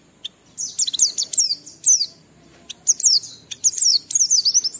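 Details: Lively Oriental white-eye used as a lure so others sing along: high, clear chirps and slurred whistles strung into rapid phrases, separated by short silences.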